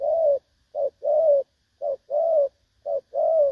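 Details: Decoy recording of a spotted dove with a clean "đồng son" voice used in trapping, dated 16/8/2024; evenly spaced low hooting coos, a short syllable then a longer smooth one, repeated three times.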